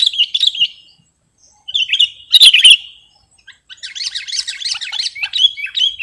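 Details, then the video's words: Sooty-headed bulbul song from a recording meant for luring or tutoring: short whistled warbles separated by pauses, one louder bubbling burst, then a softer, continuous chattering stretch. "Suwara Mp3 Sangat Cocok Buwat Pikat/ Masteran Burung Kutilang"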